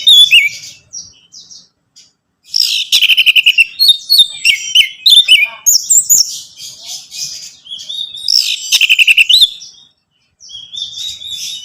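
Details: Orange-headed thrush singing, a recording played to encourage a captive bird: loud bursts of rapid, rattling chirps and descending slurred whistles, broken by short silences, then a quieter high warbled phrase.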